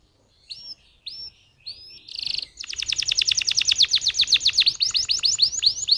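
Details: Canary lure song to make other canaries sing: three short upslurred whistles spaced apart, a brief buzz, then a long, fast, rhythmic trill of sharp descending notes.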